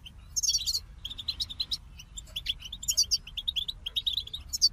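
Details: Goldfinch giving bursts of tinkling, high-pitched twitters, starting with a bright trill, then scattered quick chirps building again toward the end.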